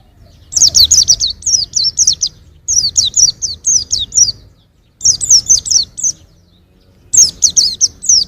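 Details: Young white-eye producing four bursts of fast, high, downslurred chirping, each burst several notes long, with soft low background noise between them.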